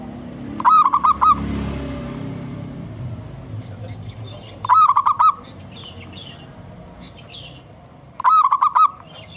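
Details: Wild local zebra dove singing as a lure, three evenly spaced phrases of rapid stuttering notes about every four seconds, with faint high chirps from other birds between them.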